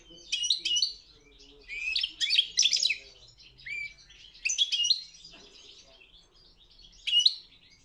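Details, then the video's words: World championship competition goldfinch singing in short twittering phrases of high, tinkling chirps and buzzy notes, separated by gaps of about a second. "Pesma štiglića 009/23 World Championship in Goldfinch Song"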